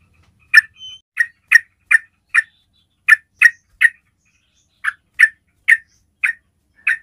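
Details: Yellow-vented bulbul calling sound used to attract other bulbuls, a rapid series of about fifteen short chirped notes in uneven bursts, with a faint brief whistle near the start.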